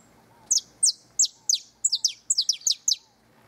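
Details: A canary sings near its nest: high, sharply down-slurred chirps, at first spaced about a third of a second apart, then quickening into paired and tripled notes, over quiet background.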